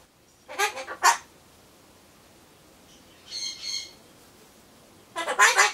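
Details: Solomons corella kept as a pet, murmuring alone as it waits for pumpkin; a short raspy double phrase opens, then a soft whistled tone midway, ending with a loud scratchy burst of words.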